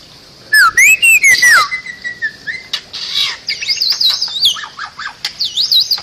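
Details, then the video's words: Bali myna singing, a recording meant for training other songbirds: a loud rising-falling whistle with harsh overtones, then a long flat whistle, followed by scattered chattering and wavering high whistles. "Ocehan Burung Jalak Bali"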